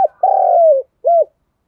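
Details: Spotted dove producing a stimulating coo to encourage other doves to coo: a long soft mellow hoot easing downward, followed after a short pause by one brief arched note, in otherwise quiet surroundings.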